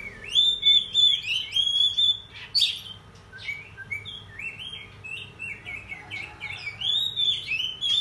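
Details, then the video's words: Oriental magpie-robin, excited and singing hard in the morning as a lure for other birds, delivers a long, continuous run of clear whistles, slurred upward and downward notes and brief harsh accents with scarcely a break. "Pancingan Kacer Bikin Emosi Agar Kacer Gacor ! Buka Ekor Ngobra"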